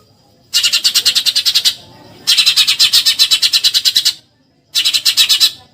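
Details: Eurasian tree sparrow in 'tembakan nyerecet' style, a masteran for songbird training: three volleys of fast, rasping chirps, the middle one longest at nearly two seconds, with short quiet gaps.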